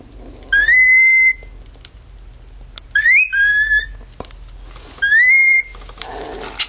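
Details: Siren impersonation by a male pet cockatiel: three upward-sweeping whistles about two seconds apart, one broken into a quick rising then a lower steady part, with soft clicks between.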